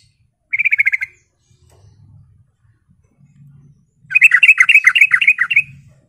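Sooty-headed bulbul giving two bursts of quick, bright chattering notes, a short phrase then a longer run of about twenty notes, over a faint low hum.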